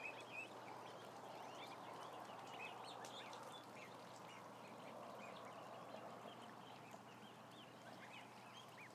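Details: Around a thousand ducklings: a dense chorus of high, short, rising peeps overlapping steadily, with a constant low hum and a broad murmur underneath.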